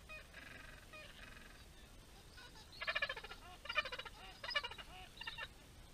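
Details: Gentoo penguins calling at Orne Harbor, many birds present. Harsh, braying harmonic calls come in pulsed bursts, building into three loud rhythmic outbursts about a second apart. Fainter calls sound between them over steady low wind rumble.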